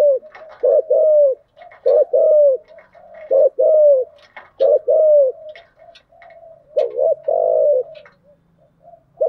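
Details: Decoy spotted dove cooing to draw in wild doves (thúc gù, gáy gọi styles): groups of two to three mellow, slightly falling coos separated by pauses, repeated through the recording, with a weak low hum late on.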